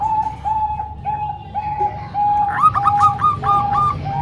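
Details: Zebra doves, a mix of three Bangkok-type birds and one local bird, singing; mellow high coos repeat steadily, then a faster run of higher, bubbling notes overlaps near the end against low background hum.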